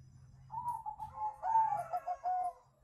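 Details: Zebra dove cooing, playback to lure birds into replying: a quieter, somewhat muffled series of soft wavering coos that rises slightly in the middle, set against a steady low hum and background noise.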